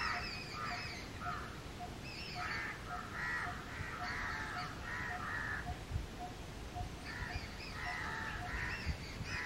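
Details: Indian house crows cawing outdoors: bursts of coarse, nasal caws in short clusters, a pause in the middle, then another cluster, over a steady low rumble with scattered bird chirps.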